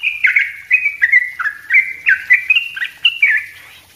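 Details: Yellow-vented bulbul in dense, nonstop singing used as tutor song for training other birds: a rapid chain of short, bright, slurred chattering notes, each dropping then stepping back up, about three per second.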